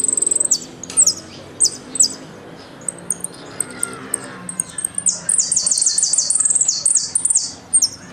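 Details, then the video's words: Jilguero, the Argentine goldfinch, in a 'golpe y pitadas' song: bursts of very high, buzzy, sliding notes, a quieter stretch with scattered chips, then a long, dense series of rapid, high chattering phrases. "JILGUERO AUDIO "EL MERYL" ( golpe y pitadas)"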